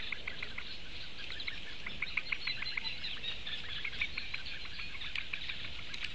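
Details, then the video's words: Eurasian bittern chicks, four of them, begging to be fed. Live broadcast from 16 May 2017. Rapid, irregular clicking notes, roughly three per second, merge into a continuous high chatter over a faint background rumble. "četri mazie pudeļbiršti - barības diedelēšana"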